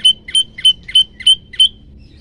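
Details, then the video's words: Olive-backed Tailorbird, described as hungry and singing actively, repeats six loud, bright, sharply falling chips evenly spaced at roughly a third of a second, then stops; faint low hum behind. "prenjak lumut lapar gacor"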